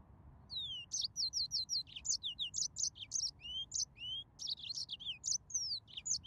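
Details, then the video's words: Continuous high song of a yellow-fronted canary (Serinus mozambicus), a lively jumble of rising and falling whistled slurs, quick repeated chirps and short trills, delivered almost without pause over steady faint low-pitched hum. "تغريد ياسمين موزمبيق"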